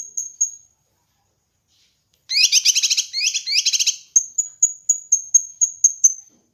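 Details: Kinoi bird song for training and luring birds: thin high whistled notes, then a loud buzzy chattering burst, followed by a steady series of short, high, piercing tseep notes about every third of a second.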